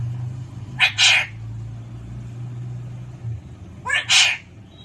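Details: ['Alexandrine parakeet giving two bursts of harsh, broadband screeches a few seconds apart, each made of a quick double note. A low steady hum sits in the background.']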